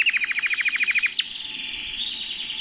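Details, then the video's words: Canary in a person's hand gives a quick string of high, falling chips, one louder swooping note, then a continuous quiet high warble. "CANARIO CANTANDO EN MI MANO"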